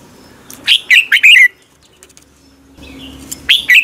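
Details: Red-whiskered bulbul in morning contest singing, a lure recording for training birds: two loud bursts of quick warbled notes, sliding and clipped, each lasting under a second, with a quiet gap between them.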